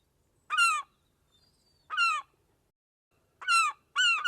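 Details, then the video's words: A gull gives four harsh, nasal squawks, each about a third of a second, spaced irregularly over four seconds against a quiet background. "SEAGULL SOUND"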